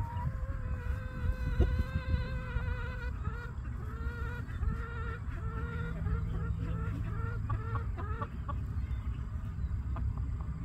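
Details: Chickens at a farm, roosters and hens together; a long harmonic crow-like call with wavering tone runs through the middle, followed by short rising clucks, over a steady low rumble of background noise.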